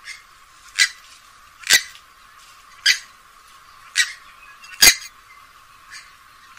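Purple swamphen giving loud, harsh, broadband squawks, five in about five seconds at an uneven pace, with faint background chatter.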